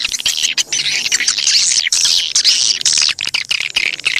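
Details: Lure sound for attracting swiftlets: high, overlapping twittering chirps in busy bursts, with brief pauses and scattered sharp clicks between them.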